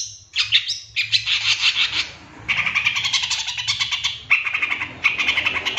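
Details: Long-tailed shrike lure song meant to provoke other birds: dense, harsh chattering and rapid scratchy notes in a near-continuous run, with brief breaks and a low background hum.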